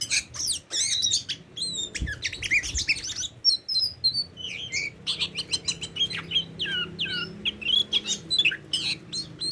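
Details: Tame Oriental magpie-robin singing a rapid, varied run of bright whistles, chirps and slurred notes, some rising and some falling, in near-continuous bursts with short pauses; a soft low rumble sits underneath.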